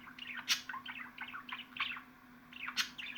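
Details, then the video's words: Pet budgerigars chattering: rapid chirps and chuckling warble notes, two loud sharp clicks standing out, low constant hum in the background. "MUHABBET KUŞUNUZ ÇILDIRACAK,MUHABBET KUŞU SESİ"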